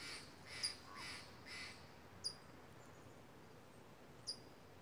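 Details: Two loud, talkative crows among misty mountain redwoods, raising a commotion with a hawk perched in a nearby tree: four harsh, hoarse caws in quick, even succession, then quiet broken by the thin tinkling of wind chimes.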